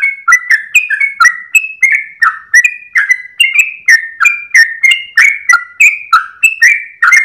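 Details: Sooty-headed bulbul in gacor ropel song at dawn, wagging its tail. A continuous, energetic warble of rich, fluty whistles about three to a second, with pitch jumping between neighbouring notes and nothing else audible.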